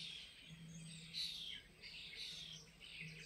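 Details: European bee-eaters at the Soča river mouth nature reserve (Izliv Soče), 14 June 2024, give rolling, liquid 'prruip' notes overlapping in quick succession, as if from several birds; low steady hum underneath.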